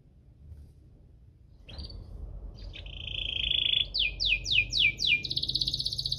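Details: Canary in cuit-cuit ngerol song, a lure for canaries slow to sing. Quiet at first, then a steady high trill, a run of five sharp descending sweeps, and a rapid rolling trill at the end, over faint low background rumble.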